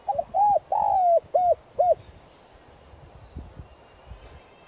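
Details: Decoy spotted dove calling to lure wild doves: a full cooing phrase of a short double note, a long drawn coo and two clipped arched coos, then quiet background.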